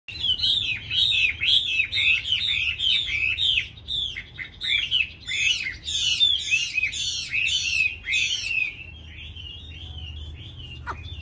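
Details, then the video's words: Caged Chinese hwamei offered for sale in Hanoi, described as quick to sing. A dense run of bright slurred notes repeats rapidly for about eight seconds, each phrase looping up and down, then the song fades to a softer warble. "mi hót mau mỏ"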